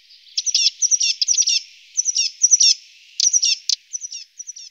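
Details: Eurasian blue tit calling: bursts of high, thin, hooked notes and short scolding buzzes, grouped in quick clusters with brief gaps, all very high-pitched; no other sounds clear.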